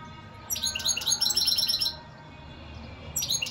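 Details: A European goldfinch delivers a fast, tinkling phrase of closely repeated high chirps for about a second and a half, pauses, then starts another twittering burst.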